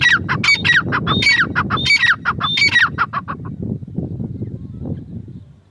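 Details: Female grey francolin delivering a burst of loud grating descending notes for about three seconds, then only low rumbling background noise remains.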